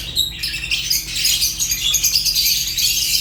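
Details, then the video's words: A continuous, buzzy wash of high squeaky chatter from Fischer's lovebirds, opening with a few thin whistled notes before the dense chirping takes over. "African lovebirds chirps sounds | تغاريد فيشر غندور روز"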